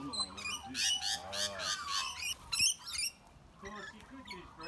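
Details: Rainbow lorikeets bullying bigger birds such as sulphur-crested cockatoos and brushturkeys give harsh, high, rasping screeches in quick bursts, several overlapping mid-clip, with a person talking at the start and end.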